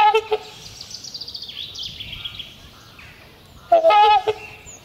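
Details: Courting trumpeter swans in spring, the pair trumpeting loudly to strengthen their bond and claim territory; a few horn-like notes open, then a soft stretch with high whistles, then a strong burst of honks near the end.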